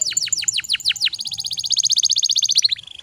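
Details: Canary tutor song meant to coax a stalled canary into song: about seven steeply descending slurred notes, then a fast, evenly repeated high trill that slows slightly at the end.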